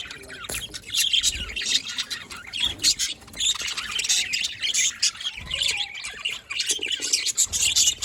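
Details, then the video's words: Pet budgerigars, 27 October 2023, pouring out loud continuous high chatter of squeaks, chirps and raspy warbles with no pauses, over faint background noise. "Budgies Parrot Can Talk Chirping Sounds"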